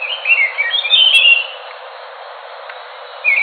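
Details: A short, bright warbled phrase of sliding whistles from an Enggano thrush, then near silence, with another note beginning at the end.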